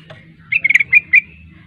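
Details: Sooty-headed bulbul kept as a competition songbird, giving a short burst of four or five bright, liquid chirped notes within about a second, over a low steady background hum.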